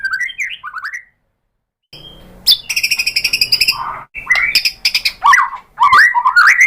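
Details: White-rumped shama singing a lure song meant to draw answers from other shamas: varied slurred whistles, a harsh buzzy rattling stretch, then quick rising and falling whistled notes after a short pause.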